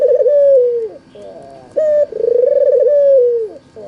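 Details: Lure recording of an albino Barbary dove, white with red eyes, meant to make lazy doves answer: a long trembling coo falls at its end, then a short high note and another long rolling coo.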